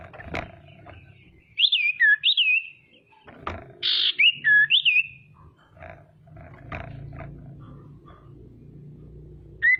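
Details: Female common iora luring rivals into song: looping whistled phrases and a harsh buzzy burst, with a short whistle at the end, over steady background hum and frequent knocks.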